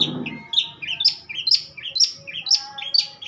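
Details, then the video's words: Long-tailed shrike in prime age singing: rising whistled notes followed by sharp high chips, repeated roughly twice a second in a lively rhythm. "burung cendet gocoor poll"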